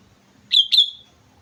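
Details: Sooty-headed bulbul from Mount Slamet, described as singing busily: two quick bright notes, each sliding down into a short trailing whistle, clear over a quiet background with a faint low hum.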